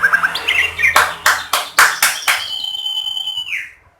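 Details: White-rumped shama song used to coax other shamas to sing: quick chirped notes broken by sharp loud clicks, ending in a long, high, sustained whistle that drops away at the end.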